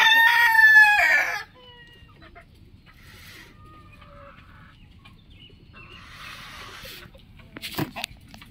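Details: Morning crowing from one of twenty roosters: a single strong, ringing cock-a-doodle-doo in the first second and a half, then quiet background with faint distant clucks and a brief sharp sound near the end.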